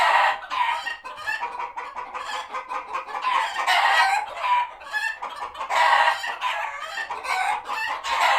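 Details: A flock of chickens at a farm sanctuary reacting to a passing hawk, alert and retreating to their coops; dense overlapping clucks and squawks from several birds, continuous and agitated, with louder bursts near four and six seconds.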